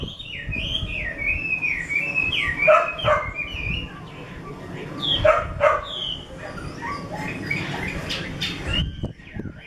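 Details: Hwamei of the 'mơ' type from a bird keeper's collection, giving looping whistled notes in fast, wavering runs. Sharper stacked notes break in around the third and sixth seconds, then the singing goes quieter. Low background rumble.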